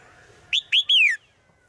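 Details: Wild forest call of a female bird to a male: a brief clear whistle followed by two longer bright notes, the final one falling in pitch, over a faint steady hum.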